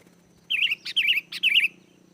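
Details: Sooty-headed bulbul song used as a lure for wild birds: three warbled, wavering whistled phrases, each short and liquid, separated by brief sharp clicks, over a faint steady low hum.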